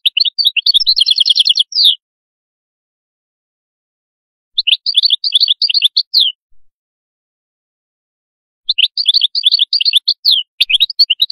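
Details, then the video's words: Canary singing three long, dense trill phrases separated by pauses of two to three seconds. Each phrase is a fast stuttering rattle of high, buzzy repeated notes with downward slurs, in a quiet setting. "تغريد القادوس"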